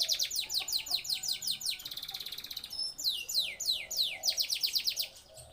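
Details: Male canary in breeding condition singing: fast series of loud, high descending sweeping notes, a rapid buzzy trill in the middle, then more rolling sweeps, with faint low background hum.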